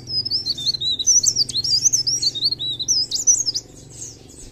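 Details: Blerengan, or cikrak daun, the mountain leaf warbler, singing gacor: a continuous stream of high, thin, quickly wavering twittered notes with sharp upslurs, running for over three seconds before fading, with a faint low hum beneath.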